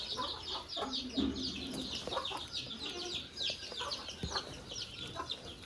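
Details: Budgerigars sharing a cage with a rabbit give continuous busy chatter: overlapping quick chirps and scratchy warbles running without pause, plus a few lower notes.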